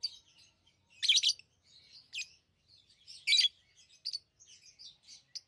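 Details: Shrill chirping from lovebirds: loud, harsh, high-pitched bursts spaced roughly a second apart, mixed with softer twittering notes in between.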